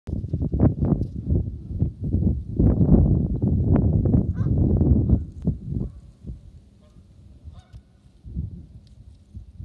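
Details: Canada geese in their natural habitat in Nebraska, a flock calling with dense, overlapping low honks through the first six seconds, then thinning to scattered softer honks over a quieter background.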